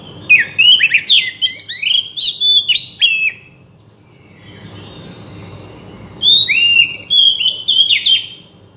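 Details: Oriental magpie-robin song meant to prompt a silent bird to sing: a fast burst of varied whistled and chattering notes for three seconds, a pause with faint low hiss, then another lively phrase of sliding whistles.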